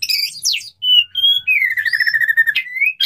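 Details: Male white-rumped shama calling a female to mate: clear sustained whistles and a long, gently falling whistled note with rich overtones, preceded by a quick rising phrase.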